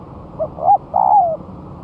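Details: A spotted dove tried on the ground after a month of moulting sings a lure phrase: a short soft coo, a sharper rising note, then a long wavering coo falling at the end, against a low background hiss.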